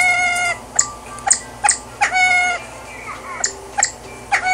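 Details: Male Siamese fireback singing at Antwerp Zoo, Belgium: drawn-out, nasal, mewing notes broken by short, sharp bursts about every half second, over a steady low hum.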